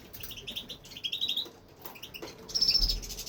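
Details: Male European goldfinch in a home aviary singing without stopping: fast series of sharp, high twittering notes, a short rising trill, then a drawn-out thin buzzy phrase at the end; little background noise.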